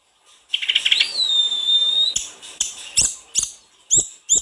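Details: Snowy-browed flycatcher singing in lively full-repertoire style, used to stimulate singing: a stuttering burst of notes leads into a long, steady high whistle held about a second, followed by sharp clicks and short bright chirps.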